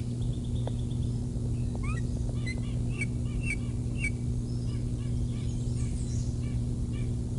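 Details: Early-morning bald eagle calling at the Decorah North nest on 6 July 2021: a burst of quick, high chittering notes, a few rising slurred ones, then thinner piping notes tailing off, over constant low hum.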